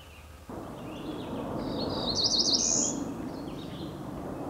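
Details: A Cerulean Warbler recorded on 25 May 2014 gives a quick run of high, buzzy notes that rise to a thin buzz, lasting about a second, over steady rushing background noise.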